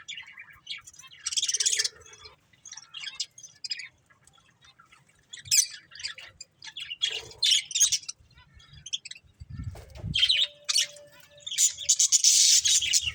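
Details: Chattering budgerigars, a breeding pair, giving repeated bursts of rapid, raspy warbling and sharp chirps at irregular intervals, with a brief low thump near ten seconds and a loud harsh outburst at the end.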